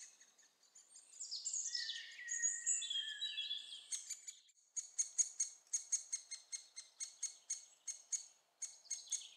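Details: Young great spotted woodpeckers being fed at Staverden, Netherlands: a varied warbling bird song opens, then a steady series of short, high, sharp chirps repeated several times a second.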